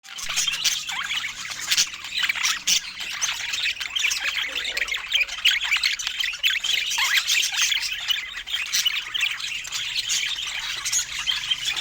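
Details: Pet budgerigars during fruit time: dense, continuous warbling chatter of many overlapping high chirps, squeaks and scratchy notes throughout, with no pauses.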